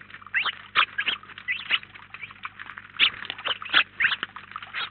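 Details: Flock of about 19 house sparrows at a feeder in Collado Villalba chirps busily, overlapping short, bright cheeps several times a second over a faint low hum.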